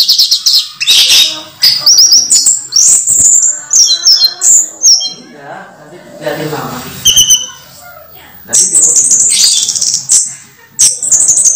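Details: Orange-headed thrush singing steadily while moulting in a cage: long run of high varied whistles, trills and chattering notes, a quieter stretch midway, then resuming strongly.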